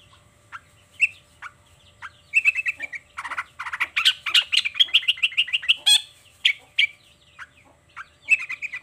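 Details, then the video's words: Morning singing by a long-tailed shrike showing off its repertoire: scattered single chips, then a dense burst of rapid chattering, trilled and rattling notes, easing back to spaced, slightly harsh chirps. "Suara Cendet Gacor Di Pagi Hari Toet Toet Bongkar Materi"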